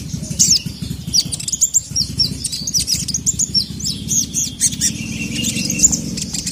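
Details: High, scratchy sogon chirps tumble out irregularly over several seconds as the excited bird calls to a male, with a low background hum and a faint flutter.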